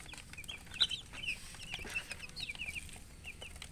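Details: Domestic chicken chicks peeping, quieter and more scattered: thin high chirps at irregular intervals over a soft background hiss and low rumble.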